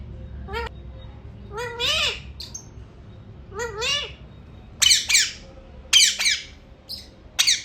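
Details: Pet Alexandrine parakeet indoors, said to be speaking a short mimicked phrase: tonal, wavering syllables in two voiced bursts, then loud, harsh rasping squawks repeated about once a second, with a quiet room hum beneath.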